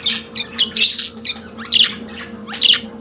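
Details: Budgerigar kept as a pet: a quick series of sharp, buzzy chirps, about five in the first second, then a pause and two longer rasping squawks, over a low hum.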